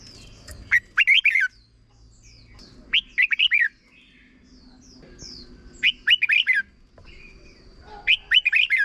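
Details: Red-whiskered bulbul in the short 'double' song style, used for young birds to copy: four brisk phrases of bouncy, slurred whistles every two to three seconds, with faint high piping notes and light background noise.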